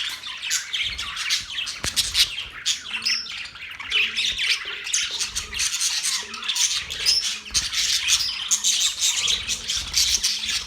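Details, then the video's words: Continuous budgerigar chatter: many rapid high chirps, buzzy squawks and warbling notes pour out without pause, with occasional sharp clicks under the stream of calls. "Budgies sounds"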